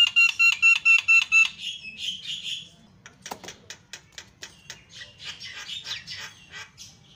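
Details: Black-winged starling, a lively singer, opening with a run of evenly spaced ringing whistled notes, then harsh buzzy chatter and a fast series of sharp clicks.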